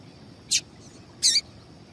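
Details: Female double-collared seedeater call used to stir males into singing: two short, high, sharp chirps about three quarters of a second apart over a faint steady hiss.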